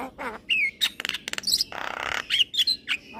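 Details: Young male Javan myna, a cage bird recorded as a master for training: slurred whistles and squawks, with a harsh, grating rasp in the middle.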